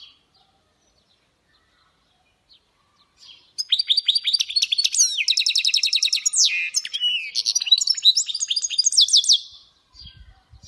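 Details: European goldfinch mule singing a khalawi-style song: near silence, then about six seconds of fast, bright twittering with rapid repeated pulses and slurred sweeping notes, ending abruptly.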